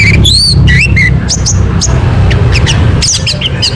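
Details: Orange-headed thrush singing as a lure to start another bird singing, giving looping rich whistles, then thin sharp notes and quick clusters, over an unbroken low hum.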